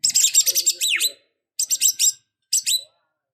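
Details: White-rumped shama, fighting and emotional, singing three bursts of fast, rattling, buzzy notes mixed with short downslurred whistles, the bursts growing shorter each time.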